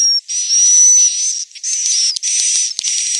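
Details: Roosting call of a swiftlet recorded in Central Sulawesi: long, rasping high buzzes with a faint whistle running through them, broken by a few brief pauses and a couple of clicks.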